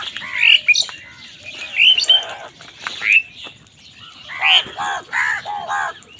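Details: Crows calling angrily while wild birds fight with them over food: harsh, arched caws repeated in short bursts, mixed with higher chirps and whistled notes from other birds.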